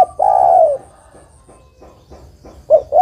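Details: Female spotted dove calling a male, giving a long, sliding, descending croo at the start, then two short abrupt coos beginning a new phrase at the end; a faint thin whistle is also heard.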